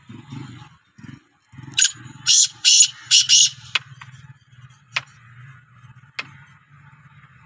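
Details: Black francolin, known locally as kala teetar, calling: four harsh, rasping, scratchy bursts packed into about two seconds, then a few sharp clicks, over a steady low humming drone in the background.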